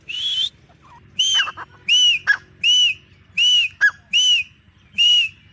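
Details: Female grey francolin calls: clear, ringing whistled notes, each slightly arched, repeated about every 0.8 seconds, with short sharp clicks between some notes and a faint low background hum.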